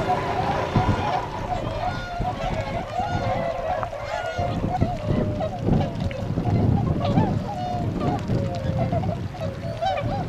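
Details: Tundra swans gathered at Miyatoda retention pond in Azumino, Nagano, Japan, on 22 February 2013, setting off to feed in nearby rice fields; many overlapping honking, wavering calls from the flock with a low rumbling background.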